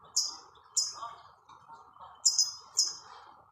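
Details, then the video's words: European goldfinch singing outdoors in nature, giving a few short, high, sharp chirps spaced irregularly, over a steady mid-pitched background hiss. "تغريد الحسّون مع الطبيعة"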